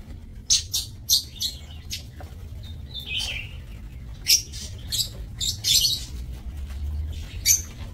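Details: Lovebirds in an aviary cage used for breeding, 30 May 2024: rapid shrill chirps and squeaks in irregular bursts, with a short buzzy descending call midway, over a constant low hum.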